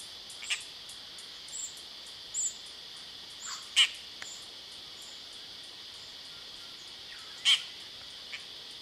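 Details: A Dollarbird in Sydney, Australia, gives scattered, short, harsh rasping notes every second or few seconds, over a steady high insect drone.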